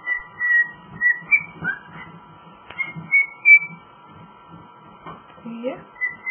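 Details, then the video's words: Pet cockatiel, a male, whistling his rendition of Jingle Bells in bursts of clear notes with a few upward slurs, broken by soft clicks and low murmuring sounds in between. "talking and singing jingle bells"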